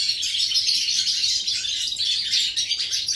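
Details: Song of a European goldfinch, 11 September 2018: rapid, liquid twittering packed with bright chirps and brief buzzy notes, running on without a break at steady loudness.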